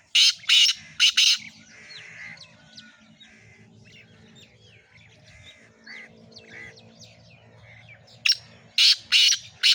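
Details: Black francolin calling with loud harsh grating notes, grouped in bursts at the start and again near the end. Between the bursts, softer chirps and twitters from other birds fill a quieter stretch.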